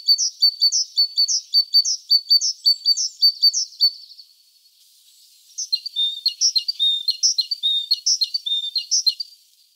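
Great tit singing bright, high, ringing two-note phrases, repeated rapidly in two bursts separated by a brief pause.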